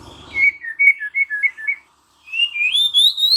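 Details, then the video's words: Murai batu (white-rumped shama) answering with song: a string of short alternating whistled notes, a brief gap, then a long wavering phrase gliding steadily upward to a high finish. "Seketika murai batu NYAUT GACOR dan BONGKAR Muatan dengan Kicau murai ini"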